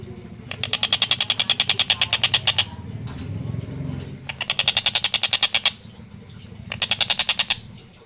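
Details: Long-tailed shrike singing actively with a clear voice and fast, tight delivery: three bursts of rapid harsh, buzzy notes, about eight per second, each burst lasting one to two seconds, over a low background hum.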